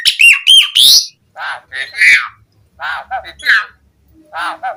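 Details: Asian pied starling song used to stimulate captive birds: a few sharp whistled notes, then lower, rasping chattering phrases broken by brief silences.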